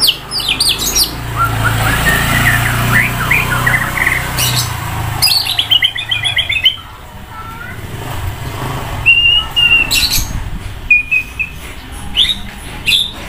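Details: Loud, varied singing from a white-rumped shama sunned by a busy roadside: chattering note runs, a fast falling trill, long clear whistles and sharp calls, with rumbling background noise that drops off partway.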